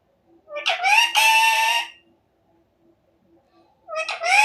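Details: Pet talking parrot imitating its owner's words: two loud, harsh, harmonic voiced bursts with a rising then level tone, followed after a pause by another burst. A person repeats an affectionate Hindi call to the bird between them.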